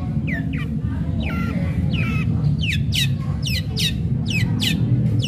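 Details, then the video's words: Long-tailed shrike in vigorous, sharp fighting song, used as a lure to provoke other shrikes into singing: clear downslurred whistled notes alternating with harsh scratchy bursts, delivered rapidly over a steady low hum. "Cendet gacor Tarung Tajam Bikin cendet lain terpancing ikut Gacor"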